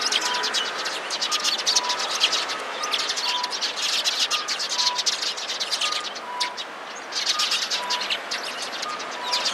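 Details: Alarm calls of sparrows gathered nearby, 16 February 2017: a continuous, dense chirping chorus with a brief lull near the end, and regular short beeps sounding in the background.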